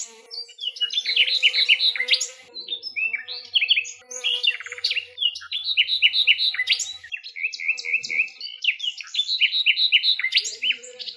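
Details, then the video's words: Common nightingale recorded in its natural habitat in Greece, singing fast strings of repeated whistled notes and chattering trills in changing phrases, with a faint low steady hum beneath. "ΑΗΔΟΝΙΑ ΚΕΛΑΗΔΗΜΑ η ΣΥΝΑΥΛΙΑ με ΑΗΔΟΝΙΑ - COMMON NIGHTINGALE SONG"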